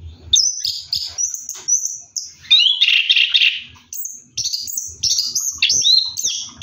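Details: Orange-headed thrush singing while bathing at night, a varied run of clear whistled phrases, some sliding down, with a brief buzzy harsh burst in the middle and short pauses between phrases.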